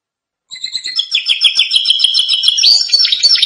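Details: Canary singing for training: after a short pause the bird starts a rapid, continuous chattering trill of high notes that grows louder and rises slightly toward the end.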